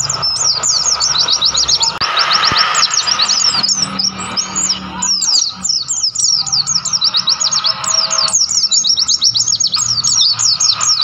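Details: Wild mountain white-eye on Mount Lawu, Tawangmangu, in mountain nature. An extended, energetic twitter of fast high notes sliding up and down. A soft click sounds near two seconds and faint hum runs throughout.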